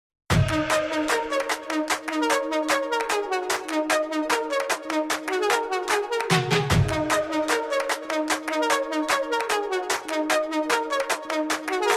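Steady electronic dance music with a driving, evenly spaced beat and bright synth tones; no animal voice comes through.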